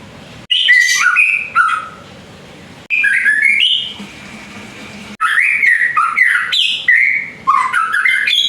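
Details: Young male white-rumped shama, still in juvenile plumage, singing fully; rich varied whistled phrases jumping between notes, in bursts of two to three seconds separated by short pauses, with low background hum.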